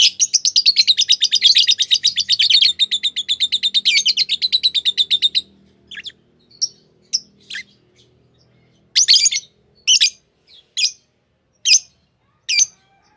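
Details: Pair of green Fischer's lovebirds, a form known in Indonesia for long-duration songs that win bird song competitions; a rapid, steady run of high buzzy chattering notes for about five seconds, then separate sharp chirps spaced roughly a second apart.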